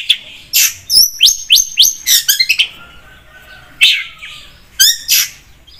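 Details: Long-tailed shrike (cendet) in lively song used as a lure: a run of clear, downward-slurred whistles repeated about four times per second, broken by sharp chips and a short trill.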